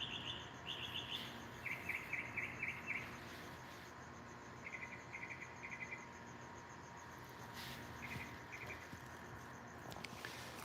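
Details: A male Northern Mockingbird sings at night, staking territory and trying to attract a female, in short bursts of fast, high chattering notes, each phrase repeated several times, over a steady low hum and background noise.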